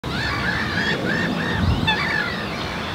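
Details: Black-tailed godwits of the islandica subspecies at Marshside RSPB Reserve, Southport, Lancashire, on 19 June 2014, recorded with a Panasonic Lumix GH4 camera: several short, nasal, mid-pitched calls over steady wind-like rushing background.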